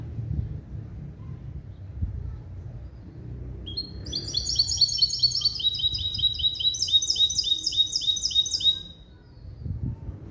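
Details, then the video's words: Hybrid of a male European goldfinch and a female canary, trained to a clean limpio song built on goldfinch base calls; after a quiet start, fast high rattling trills of repeated notes run for about five seconds, shifting pattern midway. "CHANT DE MON HYBRIDE JILGUERO ET CANARI"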